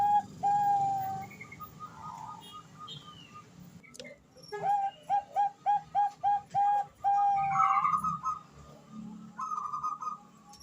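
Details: Female Bangkok zebra dove calling the male: bursts of short, clipped mid-pitched notes strung in quick series, some longer level whistled tones, with other birds chirping higher in the background.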